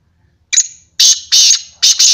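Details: Black francolin (kala teetar) calling: a short high rasping note, then three loud harsh grating bursts in quick rhythm, the last split into two rapid parts, heavily overloaded with near silence between phrases.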